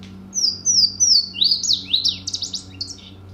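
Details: Song of a Louisiana Waterthrush from West Virginia forests: three loud, ringing downslurred whistles, then a rapid, tumbling twitter that descends and fades, set against a low steady hum.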